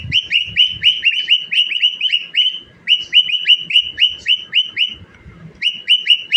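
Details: A singing, dancing pet cockatiel pours out rapid bright chirps, each sliding up then down, strung in a fast even series. It pauses once near the end before starting again.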